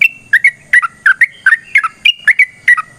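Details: Sooty-headed bulbul singing a long, vigorous fighting song meant to prompt other birds to sing: loud whistled notes around mid pitch, each dipping or rising sharply, repeated rapidly about three per second with slight variation.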